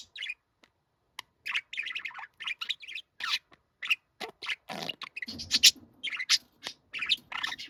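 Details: Pet budgerigar said to talk in a middle-aged man's voice; busy run of short warbled chirps and buzzy syllables, closely spaced, with a rougher, breathier stretch partway through.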